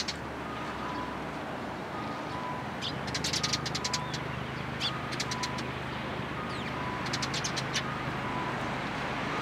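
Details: Sparrows among cherry blossoms at a shrine in Japan on 1 April 2023; clusters of short sharp chirps in bursts over a constant traffic hum, with a faint repeated tone in the background.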